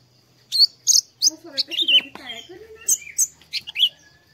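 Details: Oriental white-eye song played in the morning as a lure to get a bird to start singing: sharp high chirps in quick bursts, with lower sweeping tones in between.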